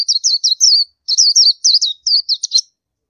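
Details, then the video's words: Oriental white-eye delivering a fast, continuous chatter of high, sweet, falling notes in three close bursts, clean and without background noise. "Oriental White Eye Bird Call"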